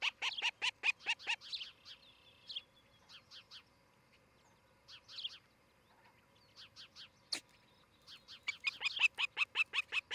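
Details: Osprey at a nest in Charlo, Montana, July morning, via nest camera: loud rapid bursts of harsh, high chirps with strong overtones, a quieter middle stretch of scattered notes, then another fast insistent run.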